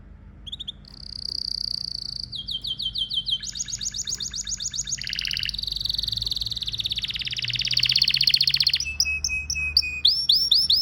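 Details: Pet domestic canary, male, in full song: dense rapid trills and buzzy rolls shifting between pitches, long rattling passages building in loudness, ending with separate bright whistled notes.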